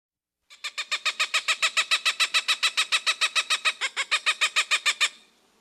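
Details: A Cooper's Hawk, a forest hawk that flies quickly between trees to catch small birds, gives a long run of harsh, nasal cak notes, about four per second, steady and even like dry laughter; no other sounds.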